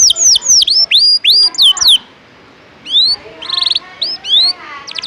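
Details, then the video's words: Ngejos-style canary song for tutoring other birds: a string of swooping whistled notes, a short silence, then rising whistles mixed with brief buzzy chatter. "Masteran burung kenari isian ngejos..pedas"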